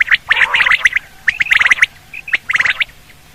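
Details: Quail hunting call: clusters of quick, bright, buzzy chirps separated by short pauses, with a brief whistled note between groups.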